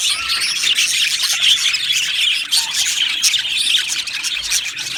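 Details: Budgies in an aviary colony, harsh squawks and high chirps layered into a loud continuous chorus, occasional clearer whistles standing out.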